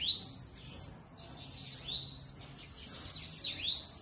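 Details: Bananaquit singing freely: repeated rising whistled sweeps, very high and thin, linked by buzzy trills and short chirps.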